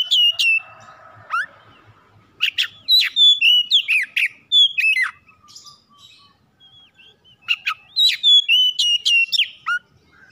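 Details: A home-kept oriental magpie-robin's lure song, meant to get other birds singing at any hour. It gives loud, clear whistles, sharp upslurs and falling slides in quick clusters, separated by short quiet gaps.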